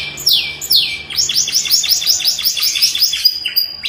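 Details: Atlantic canary (kenari) singing a long, unusual song: two long falling whistles, then a fast run of repeated descending chirps and a thin sustained high note at the end.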